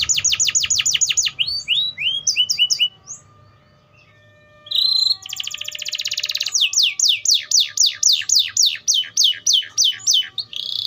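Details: Atlantic canary delivering a fast trill of sweeping notes and rising chirps, falling silent for about two seconds, then resuming with a buzzy note, a rapid rattle and a long series of descending whistled sweeps.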